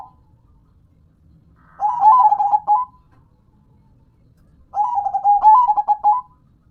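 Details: Local zebra dove (perkutut lokal), a hobby bird, delivering two long stuttering coo phrases about three seconds apart, each a fast series of pulsed notes with rising and falling coos, in near silence.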